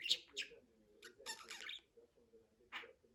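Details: Pet budgie mumbling high, buzzy speech-like notes in short bursts, with a soft hum in the background and one final scratchy chirp.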